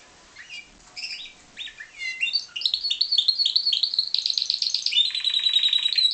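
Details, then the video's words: Song of a pied Timbrado canary raised in captivity: scattered varied whistled notes build into a continuous rapid metallic trill that shifts pitch several times and carries on without a break. "Timbrado canary"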